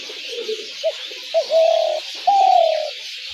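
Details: Spotted dove calling, a sound used as a lure for dove trapping. A faint murmur leads into a short coo, then two long, throaty, vibrating coos, the second gently sliding down. Constant hiss behind.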